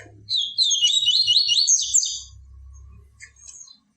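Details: Yellow-bellied seedeater song used to teach captive birds: one lively phrase of fast, repeated swooping notes lasting about two seconds, over a low background hum.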